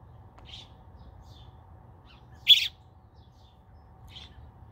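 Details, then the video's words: Robin chick calling for mommy: a short high chirp, a pause, then one loud harsh high-pitched burst, and a last faint chirp a couple of seconds later in otherwise quiet surroundings. "Baby red robin calling for mommy."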